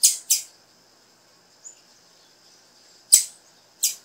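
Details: Calls of a female blue-black grassquit meant to prompt the male into song, heard as short, bright, high chips in pairs at the start and end, separated by a long near-silent gap with a faint steady tone.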